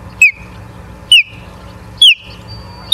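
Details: Single osprey whistles at a Charlo, Montana nest, morning of 09/07/2023: clear, high, down-slurred notes that trail off, spaced about one second apart over a low hum.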